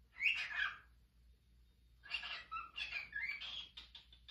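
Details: A male cockatiel whistles bright, wavering phrases from La Traviata, a song its owner is teaching it, with a snort in between.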